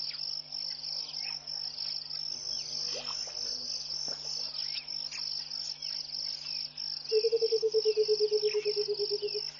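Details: Burchell's coucal singing in the early morning at Pete's Pond, Mashatu Game Reserve, Botswana, January 2014: a low, bubbling, gradually descending run of about twenty hollow hoots over a high insect drone; Egyptian geese and hadeda ibis also present.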